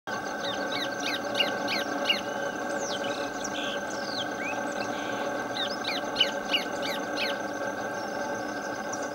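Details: Orange-breasted thornbird (Phacellodomus ferrugineigula) calling in a marsh at Potreiro, Rio Piracicaba, Minas Gerais, Brazil: two quick runs of about five sharp repeated notes with sweeping whistles between, over a steady background hum of insects or frogs.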